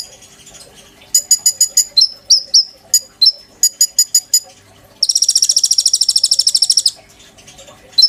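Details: Caged oriental magpie-robin giving tutor song for white-rumped shamas: a run of crisp staccato high notes, then several slurred downward whistles, then a long buzzy rattle of fast notes lasting about two seconds.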